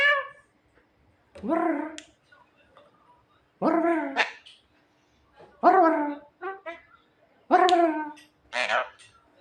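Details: Javan myna, described as clever and funny, produces hoarse bark-like calls about every two seconds, some followed by short stuttering notes, with quiet gaps between.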